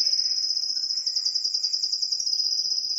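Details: Spanish timbrado canary singing a continuous, rapid metallic trill held at a steady high pitch throughout, with faint lower notes beneath.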